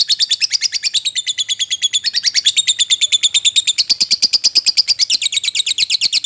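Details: Lovebird calling its companion, used as a lure for rival birds: a continuous, fast stream of shrill, high chattering notes, run together with hardly a pause throughout.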